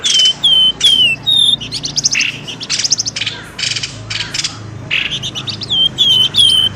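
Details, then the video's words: Lure calls for drawing birds out of undergrowth: clear descending whistled notes repeated several times, mixed with bursts of rattling, buzzy chirps, around two and a half calls a second. "SUARA PIKAT BURUNG pelamboyan ribut"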